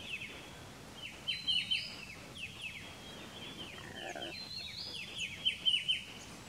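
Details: Striated bulbul at Pelling, Sikkim, India, in May: clusters of quick, sharp downslurred notes in two bursts, over a thin steady high tone and background hiss.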